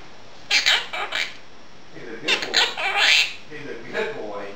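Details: Female Quaker parrot kept as a pet, talking in a small room while dishes are washed: clustered squawky syllables imitating speech, ending in a softer, lower murmur.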